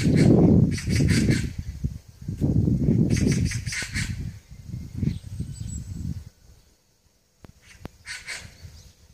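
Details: Eurasian magpies gathering high in a tree branch at a rural farmhouse: harsh, rasping 'kkak' calls in a few short clustered bursts, then a quieter stretch with one late burst, over a constant low rumble of wind or handling noise.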